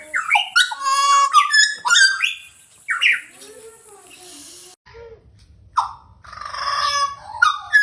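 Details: Pied butcherbird mixing rich whistled notes with harsher chattering tones, a wavering lower warble, then a hissing, noisy passage broken by a few more whistles.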